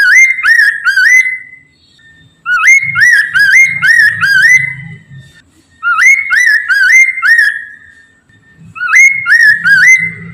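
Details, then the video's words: Laughingthrush known locally as Poksay Mandarin, singing as a lure for other birds: four phrases of ringing, rising whistles, each a quick series of four or five notes, with brief silences between and faint low rumbles beneath. "PANCINGAN POKSAY MANDARIN TERBUKTI AMPUH CEPAT DIRESPON POKMAN LAIN AGAR IKUT BUNYI"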